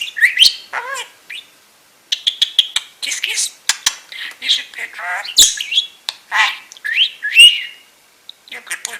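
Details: Budgerigar kept as a pet, sitting on its owner's shoulder and chattering while she sorts tumbled peridot: rapid scratchy squawks, burry trills and upward whistled slurs in a continuous babble.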